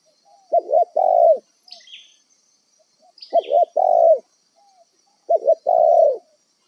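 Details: Wild spotted dove, a bird used as a decoy for trapping, gives three clear cooing phrases about every two and a half seconds. Each phrase is a short stuttered double note followed by a longer mellow coo, with faint high chirps between phrases.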